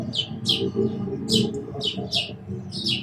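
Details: Sparrow with a rapid run of loud, rich chirps, several within three seconds, set against a dense low background hum.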